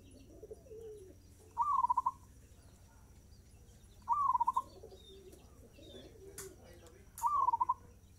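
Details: Zebra dove singing actively at a fast tempo, giving three cooing phrases roughly every three seconds. Each phrase is a brief rising note followed by a rapid run of staccato pulses. Faint clicks and soft background noise between phrases.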